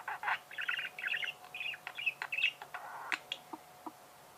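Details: Budgerigars singing: a fast run of buzzy chirps and chattering warble, thinning out into a few scattered clicks and soft single notes.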